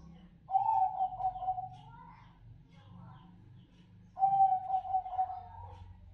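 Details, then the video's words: Bangkok zebra dove song: two clear phrases of quick, stuttering low coos ending in a slightly rising drawn-out note, roughly three and a half seconds apart, with soft low background murmur between. "PERKUTUT SENI SUARA / PERKUTUT BANGKOK"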